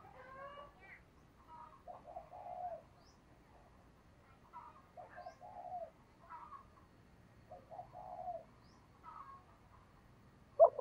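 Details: Female dove calling to attract males, heard at a distance: a soft phrase of short coos repeated roughly every two to three seconds over a low rumbling background, with a sharp loud click at the very end.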